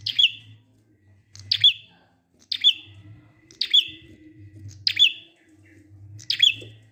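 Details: Prinia sounds used to draw silent prinias into singing: six short, high, sharp chirps spaced roughly one second apart, with a faint low hum underneath.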